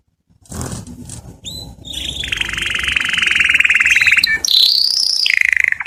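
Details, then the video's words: Canary singing to attract females for mating: after a brief low noise, a few clear notes lead into a long rattling trill, then a high whistled roll and a rapid pulsed finish. "The strongest canary twitter to hear and irritate females to mate"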